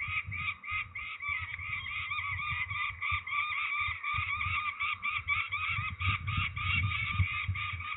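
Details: Ringing of peregrine falcons at Trzebież, Poland, 13 May 2019: a nonstop rattling series of coarse, nasal notes over constant low handling rumble and scuffing.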